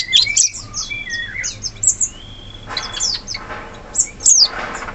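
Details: Sooty-headed bulbul in the wild forest: high chirps mixed with lower drawn-out whistles that slide gently, followed by scattered sharp notes against a faint hiss.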